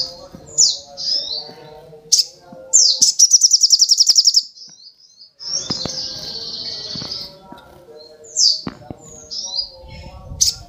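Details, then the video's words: A spiderhunter sings in high, thin chirps and slurred whistles, with a fast rattling trill and a longer buzzy phrase between them. "Kicauan Burung Sogok Ontong"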